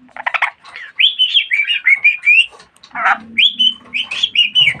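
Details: Pet budgerigar talking a lot: rapid chattering warble of buzzy bursts mixed with clear rising and falling whistled notes, delivered almost continuously with a short pause near the middle.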